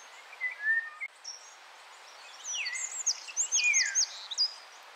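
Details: Eurasian wren in a Scots pine forest in the hours before dawn: a quick burst of high, sharp notes and downslurred whistles, faint soft whistles before it, over a steady background hiss.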